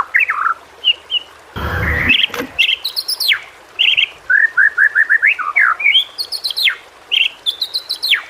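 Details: White-rumped shama tutor song to stimulate silent shamas: varied whistles and rapid short notes in a quick run, with a brief burst of broadband noise near the start and sharp high chips later.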